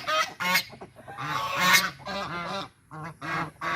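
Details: White domestic geese, angry and defending territory, produce loud, rich, nasal honks in quick irregular bursts, some drawn out and rasping, with short gaps between groups of calls.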